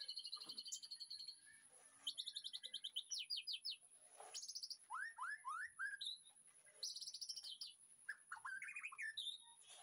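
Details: White-rumped shama kept in a backyard aviary, recorded in the afternoon as master song for training: rich, varied phrases of rapid repeated high notes, then sliding whistled slurs, bursts separated by brief pauses, with a steady faint high hiss.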